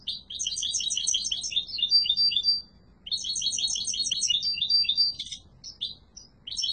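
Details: European goldfinch of a yellow mutation in strong song: two long bursts of fast, tinkling high twitters and rolled trills, separated by a short pause, followed by scattered brief chirps; low background hum.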